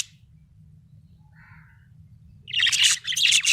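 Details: Happy budgerigar chirping: after a quiet start, a burst of bright, scratchy high chirps and warbles fills the last second, over a steady low hum.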